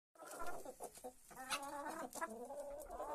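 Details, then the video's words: Hens feeding at dawn in a coop, waking from their perches and pecking at a grain mix; overlapping drawn-out clucks and moaning calls with harmonic bands, plus sharp pecking clicks throughout. "gallinas comiendo"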